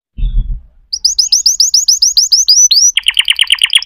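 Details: Canary singing after a low thud: a series of rising whistled notes, then a switch to a lower, faster rolling phrase of repeated syllables.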